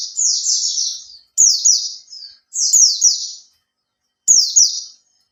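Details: Caged Oriental white-eye singing as a lure: bright, high-pitched warbling phrases of fast downward slurs, some long and some clipped short, with gaps of about half a second.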